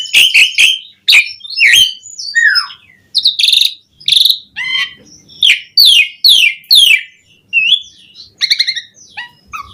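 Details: Energetic Asian pied starling song with varied fill-ins, used as a lure for other starlings: sharp clicks and snapping notes, then rich whistles, buzzy downslurred phrases and rasping chatter in dense bursts.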